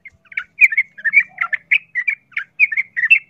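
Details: Sooty-headed bulbul giving a 'ropel tarung' fighting song used as a lure to provoke other bulbuls to fight: rapid, bubbly chattering notes in quick bursts, fairly clean background.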